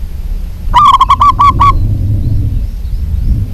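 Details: Local zebra dove in lively voice giving a quick run of about six clipped, throaty coo notes lasting roughly one second, over steady low-pitched background rumble.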